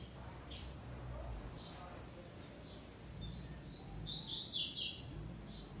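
A double-collared seedeater gives high, scattered chirps that gather into a quick, bright twittering burst near the end, over a low background rumble.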